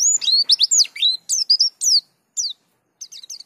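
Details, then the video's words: Pleci dakun white-eye singing in the lively rolling style called ngerol gacor, showing off its filler phrases (isian): rapid high, sharply sweeping whistled notes, rising and falling, in quick bursts with short pauses, then a fast trill-like run. "Pleci Dakun Ngerol Gacor Bongkar Isian"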